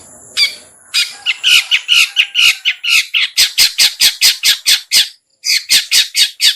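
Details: Long-tailed shrike calling to lure other shrikes, a harsh grating squawk followed by a fast rhythmic run of rasping high notes, roughly two per second, briefly pausing before resuming.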